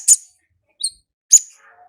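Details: In the wild, an olive-backed sunbird gives ngalas song: three piercing high chips about half a second apart, the last trailing into a thin whistle.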